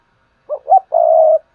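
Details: Single cooing phrase from a decoy spotted dove meant to excite newly caught doves into calling: a brief note, a rising hooted note, then a long steady throaty coo, quiet background.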